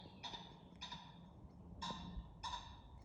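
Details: Common pheasant giving a night-time alarm call that warns nearby pheasants of a predator: four short, harsh, ringing bursts spaced about half a second to a second apart, some paired, over a low background rumble.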